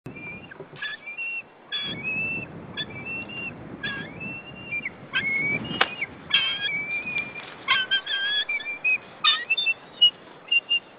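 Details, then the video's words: Male white-tailed eagle at its nest on 15 April 2013, calling in alarm at intruders near the nesting territory: high, thin whistled yelps in irregular bursts, some notes flat and others sliding, with occasional sharp knocks and clicks. "Male White-tailed Eagle brings prey. Intruder alarm!"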